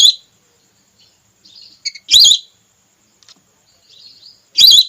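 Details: Female whistling duck call used as a hunting lure to bring birds down: three loud, high, wheezy whistled notes with quieter thin whistles between them in an otherwise silent background.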